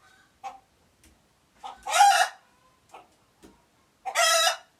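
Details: Alert chicken noises recorded in Uganda: brief clucks, then two loud, harsh squawks about two seconds apart.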